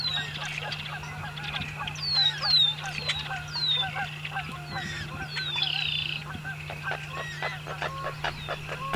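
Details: A noisy flock of American coots in a marsh gives overlapping short, nasal honking and clucking notes, with a steady low hum underneath.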